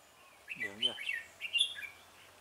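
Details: Decoy Red-whiskered bulbul calling in rivals at a trap, 17 November 2017: two quick phrases of bright slurred whistles, with a man's low voice speaking over the first.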